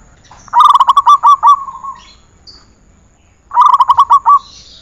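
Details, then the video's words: Zebra dove song for training other birds: two separate phrases of fast staccato coos, the first trailing off into a longer soft note, with a quiet pause between. "Masteran perkutut"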